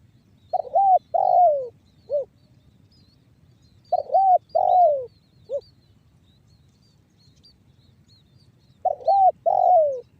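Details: Spotted dove singing banggo bocor style coos, used as a lure for other doves. Phrases of two coos, a drawn-out downslurred coo and a clipped note recur about every four to five seconds with long silences.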